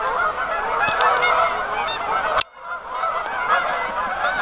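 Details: Many geese honking together on a partially frozen lake, a dense overlapping chorus of nasal honks with a brief dip in the din midway.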